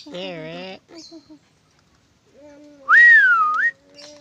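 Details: Pet lorikeet follows some chatter with one loud, pure whistle that rises, dips and rises again over about a second, with a faint steady tone underneath.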